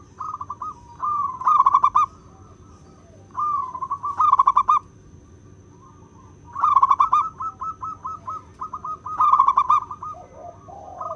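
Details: Zebra dove, a local wild bird, singing its clear crystal-toned song used for luring: fast stuttering coo phrases, with a long run of quick pulsed notes around eight seconds, over a soft steady hum.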